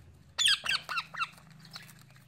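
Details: Pet male Indian ringneck parakeet calling his mates: a quick burst of four harsh, buzzy squawks with falling pitch, one after another in under a second, then quieter trailing notes over a low background hum.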